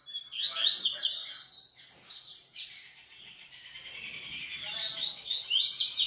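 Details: Coleiro (Double-collared Seedeater) raised at a breeder singing dense, rapid high twitters and trills, loud at the start and end with a quieter busy middle.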